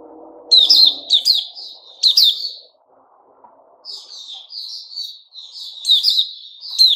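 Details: White-rumped shama known locally as Puteh Raja, recorded 29 August 2021, with loud ringing note clusters, a lull of soft low murmuring, then gentle warbled whistles building back to sharp bursts.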